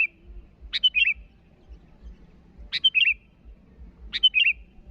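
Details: Sooty-headed bulbul calling rivals: three short bubbly phrases, each a sharp high note followed by a quick warbled descending flourish, spaced about two seconds apart, with faint low rumble beneath.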